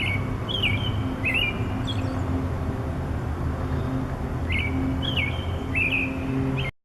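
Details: Morning song from a bird perched on a wire: clusters of quick, sharp, up-and-down whistled chirps in two bursts, separated by a pause of a few seconds, against a constant low hum of traffic-like background noise.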